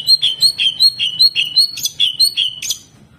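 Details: Chatty greater green leafbird in jamtrok mode, firing rough 'tembakan' shots: a fast train of clear, downslurred whistles, each swooping from high to lower, repeated evenly several times a second with a few sharper chips mixed in.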